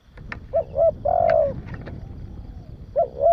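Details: Spotted dove cooing, a sound used to stimulate and train young doves: two short rising notes followed by a longer, drawn-out falling coo, then another pair of short notes begins, over a low rumbling background.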